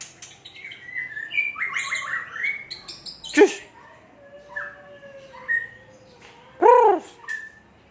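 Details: White-rumped shama, or murai batu, from Aceh sings quick stuttering high phrases, a sharp snapping note, a long soft whistle, then a loud ringing note that falls away, among scattered chirps.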